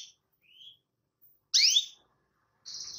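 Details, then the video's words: Canary calling a rival: a soft rising whistle, then one loud forked downward chirp, followed by the start of a buzzy trill. "CUIT CUIT SUARA KENARI MEMANGGIL LAWAN"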